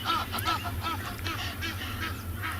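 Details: Egyptian geese on a morning safari on 12 August 2020, in the dry season near grazing herds and a resting hippo, shout at each other in harsh, rapid honks and squawks over a steady low rumble while a man speaks nearby.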